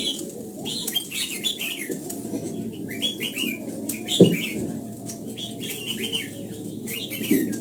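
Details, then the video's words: Red-whiskered bulbul in morning voice training toward the old-forest double-note song: repeated warbling phrases of looping whistles run throughout, with a couple of sharp low knocks and a continuous low hum. "Luyện giọng cho chào mào hót sáng, ép chào mào hót âm kép già rừng hay tuyệt!"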